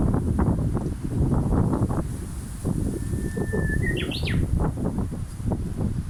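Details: Japanese bush warbler singing: a long steady whistled note followed by a quick rising and falling flourish near the end, over heavy low rumbling background noise.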